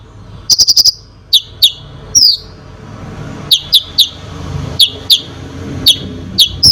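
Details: High konin chirps, starting with a quick four-note rattle, then single sharp downslurred notes every half second or so; the singing is meant to provoke other birds, over a soft low hum.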